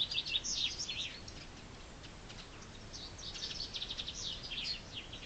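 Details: Springtime chaffinch, two lively high phrases of fast, sharp notes, the first loud and tumbling downward, the second slightly softer and ending in a quick flourish, with quiet ambient hiss between.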